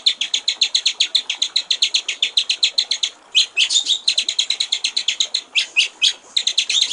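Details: White-rumped shama singing in the clear-voiced gericik air (water-trickle) style: fast runs of high, evenly spaced chipping notes, about six per second, broken by a short pause and a few sharper, louder whistled notes near the end.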